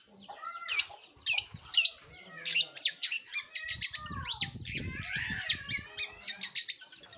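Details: Long-tailed shrike, known locally as pentet or cendet, singing actively: a varied run of sharp, high chirps and harsh scratchy bursts, some notes sliding down, in quick irregular succession over a faint low rumble.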